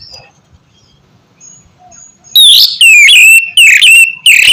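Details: Oriental magpie-robin singing loud 'ngeplong' song to coax lazy birds into song: two seconds of faint background chirps, then four loud, harsh, sliding notes in quick succession.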